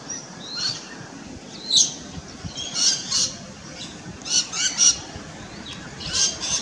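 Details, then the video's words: Feeding rainbow lorikeet recorded on a Nikon P900: sharp, shrill screeching squawks in short bursts about every second or two, with quieter gaps between calls. "Rainbow Lorikeet"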